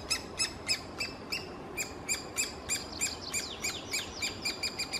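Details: Begging three-toed woodpecker chicks in their nest hole, Kalinovsky forest park, Yekaterinburg: a shrill series of short squeaky pulses, irregularly spaced at first, then quicker with sliding notes near the end.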